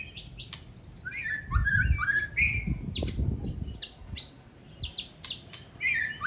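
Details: A songbird duel with rapid, varied notes: rising whistled slurs and quick chips tumble about three per second, with thuds and hum in the background.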